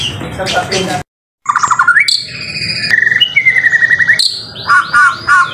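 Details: Actively singing white-rumped shama in a tutor recording: fast rattling trills, a run of evenly spaced whistled notes, and a brief break before bright slurred whistles return. The background is otherwise fairly clean.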